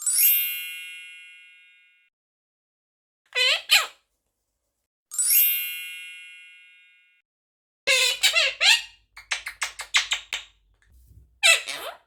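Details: A pet Quaker (monk) parakeet saying thank you chatters raspy, speech-like phrases with a quick run of clipped syllables, after two ringing chime tones at the start.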